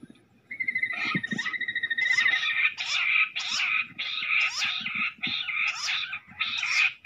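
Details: Jungle bush quail fighting; harsh, buzzy rattling bursts repeat rapidly, with a thin whistled trill near the start followed by a run of grating chatters about every half second, sharp clicks beneath.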